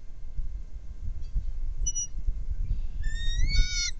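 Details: Bald eagle, one of a trio at a nest, recorded by a nest camera: a short high squeal, then a string of thin, high, stuttering whistled chirps, over low rumbling wind.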